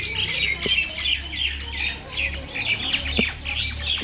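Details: Noisy squawking of mynas in a Bangladeshi village: rasping, scratchy calls and chirps in uneven bursts, several birds calling together, with two brief knocks and a low hum.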